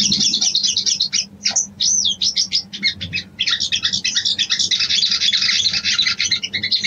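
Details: A female sooty-headed bulbul calls for a male in breeding condition with rapid, excited high chatter that mixes sharp clicks and short looping whistles, running almost continuously.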